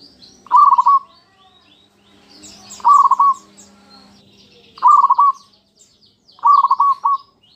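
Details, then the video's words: Local zebra dove song played as a lure for other doves: four short rolling trilled coos roughly every two seconds, with faint high twittering of other birds in the background. "PANCINGAN PERKUTUT LOKAL PALING AMPUH"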